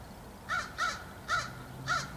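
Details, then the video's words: Four rasping caws from a crow sitting in a tree, 27 July 2015, evenly repeated about every half second, each note harsh with a downward-arching shape, little else audible. "Crowfriend in tree"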